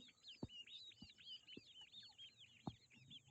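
Grey francolin chicks give a constant chorus of thin, high, arched peeps that overlap one another. A few dull knocks sound in the background.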